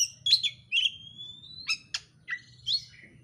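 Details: Oriental magpie-robin (kacer) song used as a lure to provoke another bird to sing: varied high whistles and sharp chirps, one long steady whistle drawn out across the middle, then quick falling notes.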